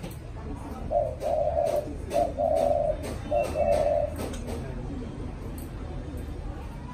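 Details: Caged, hand-raised spotted dove of the 'mã phấn' type, kept for cooing contests, delivering three low coo phrases, each a short note followed by a longer rolling coo, over about three seconds, against faint indoor background noise.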